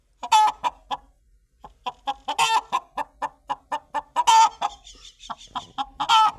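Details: Chicken clucking in short, sharp bursts, roughly a dozen separate notes spaced unevenly across six seconds, with a few louder, harsher squawks standing out among the softer clucks.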